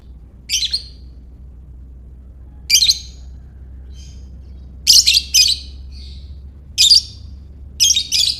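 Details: Lovebird giving ngekek calls to provoke other lovebirds: repeated harsh, high chattering bursts, some doubled or tripled in quick succession, with brief faint squeaks between them and a steady low hum.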